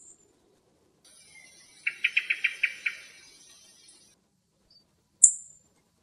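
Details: Thrush in Greek nature, recorded in the area where it was filmed. A thin high note leads into six quick, evenly spaced chattering pulses. A sharp, very high single seep follows after a pause, with no other sounds.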